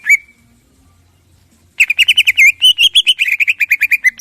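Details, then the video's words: Greater green leafbird singing in the morning to provoke other birds: one brief whistle, a pause, then a fast, dense rattling series of rich chirped notes repeated rapidly for over two seconds. "Pancingan Cucak Ijo Gacor Ngentrok Jambul Tembakan Kasar Variasi Juara Di Pagi Hari"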